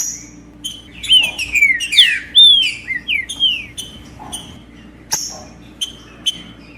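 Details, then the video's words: Green-winged saltator (trinca-ferro) song meant to excite a male into singing: a burst of loud, sweet slurred whistles rising and falling, followed by scattered short chips and a sharp click, with a low background hum. "Trinca ferro Macheando com Trinca ferro cantando Para Esquentar Trinca ferro"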